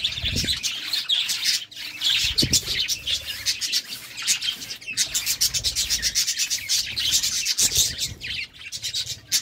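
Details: Courting budgerigars chatter nonstop in a fast, buzzy warble of chirps and scratchy notes, punctuated by a few low thumps and rustles.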